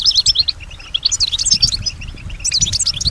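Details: Singing European goldfinch, a female, responding to nearby sounds: quick high chirps and tinkling twitters run together in dense bursts, with a brief lull midway and low background noise.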